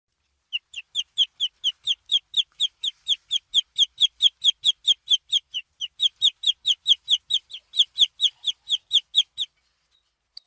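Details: Baby chick peeping: clear, high, evenly spaced cheeping notes, about two per second, repeated steadily for nine seconds in otherwise silent surroundings.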